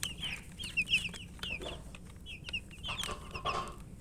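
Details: A few coloured chicks chirp with thirst for drinking water while eating. They give loud, high, downward-sweeping peeps spaced by brief pauses, along with soft clicks and rustling of feed.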